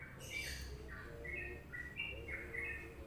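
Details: Yellow-vented bulbul (Pycnonotus goiavier) song: a run of bubbly, chortling notes in quick short phrases after a brief harsh burst at the start, over a low background hum.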